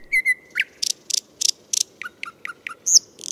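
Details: Nightingale singing in Moscow: a varied phrase of two high whistled notes, a rising slur, a series of loud dry clicking notes, then quick descending chirps and a final bright whistle.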